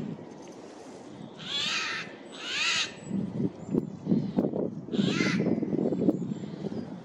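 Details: Eurasian jay giving loud harsh calls in a forest on 15 April 2024 while flitting between trees: two rasping screeches in quick succession, a pause with low thumping footsteps, then a third screech.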